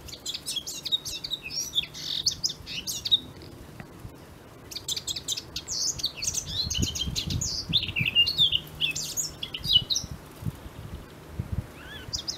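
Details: Eurasian blackcap song: two bursts of quick, jumbled high warbling and chattering notes separated by a quieter pause, over a soft background hum.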